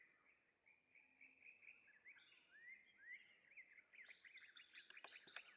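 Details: A male purple sunbird sings for a mate, a continuous twittering warble of mid-high squeaky notes, rising and sliding, breaking into rapid sharp chirps over the final seconds against a faint hiss.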